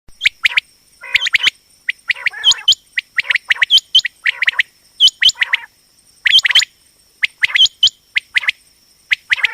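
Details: Female common quail (batair) call used for quail hunting and trapping: rapid sharp chips in pairs and short clusters, some with brief rising whistled hooks, irregular but nearly one burst per second, over a steady high electronic whine.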